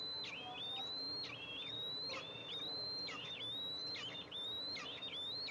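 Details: At an Eastern imperial eagle nest, recorded by a nest camera on July 14, 2024, the mother arrives to feed two eaglets. Piercing rising whistles, each ending in a quick falling flick, come roughly every second.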